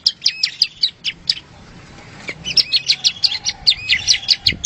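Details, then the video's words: Songbird-contest training recording of a bar-winged prinia: bright high chirps repeated in quick series, a short quieter gap, then a faster rhythmic run of sharp notes mixed with thin whistles. "SUARA BURUNG PRENJAK"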